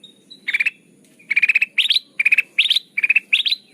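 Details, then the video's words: Sooty-headed bulbul lure call for trapping birds: a faint whistle, then rapid rattling bursts of five or six pulses each, about seven bursts in quick succession, some with upward sweeps. "Suara pikat burung kutilang emas"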